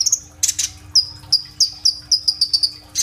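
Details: Sunbird (kolibri ninja) in energetic gacor song with rolling 'tembak' phrases, used as a lure for young green-plumaged birds, recorded on an Oppo phone: high thin whistled notes, some sliding down, repeated in quick bursts, with a few scratchy chatters and a steady low hum.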